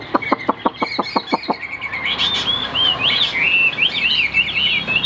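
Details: Chinese hwamei with white wings and white tail, kept in a cage, singing high. A series of short sharp clucks opens, followed by rapid, rippling whistled phrases with wavering, looping notes.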